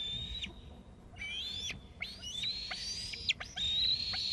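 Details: Eaglet off the nest in a tree, calling after an adult brought food; high, thin whistled screeps, some rising and others sliding down, irregular and overlapping, over low background rumble.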